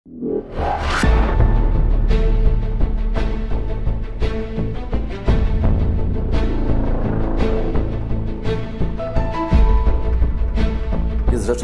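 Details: Dramatic orchestral music with deep drum hits and sustained low tones fills the whole clip, with no animal voice heard.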